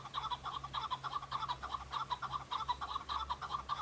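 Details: Male Chukar partridges on Bamo mountain, Kurdistan, fighting and displaying for mates in breeding season, deliver a continuous run of rapid, rhythmic chuk-chuk notes, about two per second in clustered bursts, over a constant low drone.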